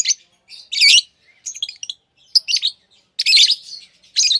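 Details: Lovebirds chirping busily: dense, scratchy, high bursts and squeaks following each other with only brief gaps.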